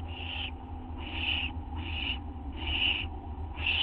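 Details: Owl at night, 2:16 AM on August 30, 2011, receiving a treat: four or five drawn-out wheezy hisses about one second apart above a constant low hum.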